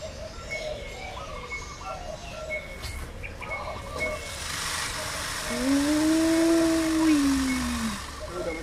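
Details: Male Indian peafowl calling to attract females: one drawn-out tonal cry that arches up and then slides down over roughly two and a half seconds, heard after a stretch of low background hum and noise.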